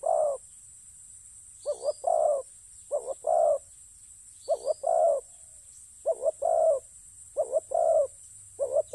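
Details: Spotted dove in a ground decoy-luring setting, giving low mellow coos in paired phrases, a short note then a longer drawn note, repeated at uneven gaps about every one to two seconds, with a steady high hiss behind.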